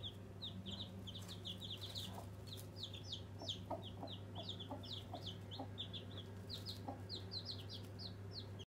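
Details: A brood of newborn pet chicks peeping busily: dense, overlapping, high, falling cheeps throughout, with a constant low hum.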